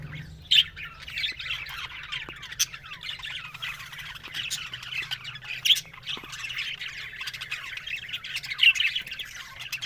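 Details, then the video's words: Budgerigars on October 1: soft background chattering of several birds, broken by sharp, loud squawks about every three seconds. "Beautiful Budgerigars Talking"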